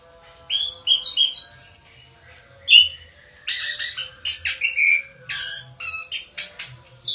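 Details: Orange-headed thrush, called anis kembang, sings a varied, continuous medley of whistles, harsh chattering bursts and high squeaky phrases, changing pattern every second or so.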